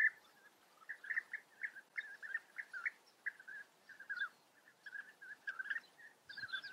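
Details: European bee-eaters calling: a busy stream of short, rolling, burry notes in quick overlapping bursts, several per second for about seven seconds, fairly quiet, with no other clear sounds.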